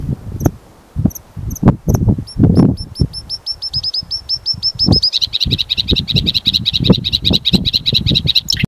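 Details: Bluethroat (Luscinia svecica) song: a fast series of high, ringing notes speeding into a rapid metallic trill, with low knocks and rustling thuds underneath.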